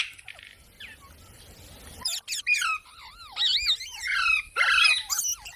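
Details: Parrot talking in imitation of human speech after a quiet start: a series of squawky syllables with looping up-and-down pitch, grouped into several loud, chattering phrases.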